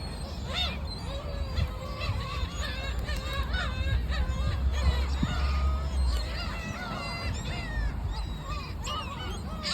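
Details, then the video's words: Many gulls calling at the sea: dense, overlapping arched cries and mewing notes from a crowd of birds, steady throughout, over a continuous low rumble of wind and waves. "갈매기들 소리 🦅🐥 The sound of seagulls"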